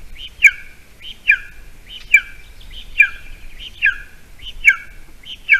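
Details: Golden eagle nest in Latvia on the morning of 28 June 2020, a small mouse offered for breakfast amid scarce food: regular high whistled calls sliding downward, repeated at under one-second intervals, quiet surroundings.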